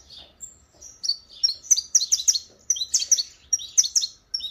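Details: Saffron finch singing a fast, sustained run of high, sharp chirps and trills, with notes packed in quick bursts and brief pauses between phrases; a faint low hum sits underneath.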